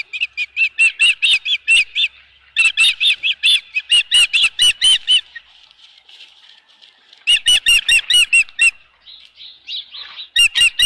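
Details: Osprey at the Dunrovin Ranch nest with a fish, 24 April 2018, 4:19 PM: bursts of sharp, high chirped whistles, about eight to ten rapid notes per burst, separated by short pauses, with faint wingbeat-like rustles between.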